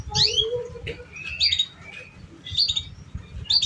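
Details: Canary song used to coax young, still-learning canaries into singing: sharp high chirps with quick upward and downward sweeps, in short bursts separated by brief pauses, over a low rumbling background.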